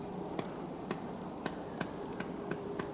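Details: Black Woodpecker on 6 December 2023, knocking out a large hole in a tree: sharp, hollow single taps at an uneven pace, about seven in three seconds, over a steady low hum.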